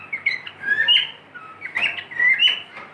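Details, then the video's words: Pet cockatiel whistling: a string of clear, sliding whistled notes, some rising and some falling, in quick phrases with short pauses between them, plus a few brief chirpy accents. Recorded in a quiet indoor setting. "My cockatiel | beautiful Whistling"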